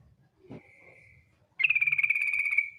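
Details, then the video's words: Female yellow-vented bulbul calling the male with a trilling call: after a faint low note, a loud, steady buzzy rattle holds at one pitch for about a second. "TRUCUK BETINA memanggil JANTAN ngetir"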